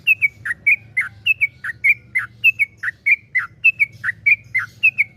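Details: Yellow-vented bulbul in continuous 'gacor' song of the long-roll 'ropel panjang' style, used as a lure to get other bulbuls singing: a steady run of short, bright whistled notes slurring downward, about three per second, over a faint low hum.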